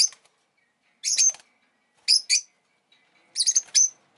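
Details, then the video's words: Piercing chirp bursts from a rosy-faced lovebird kept as a pet: a longer rasping chirp, then a quick double, then a cluster of three sharp notes. "Lovebird Chirping Sounds"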